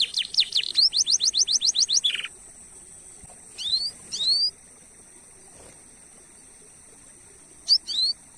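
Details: Canary song serving as a lure for other canaries: a quick two-second series of high falling whistles ending in a buzzy note, then near silence broken by a few isolated rising chirps, over a steady high whine.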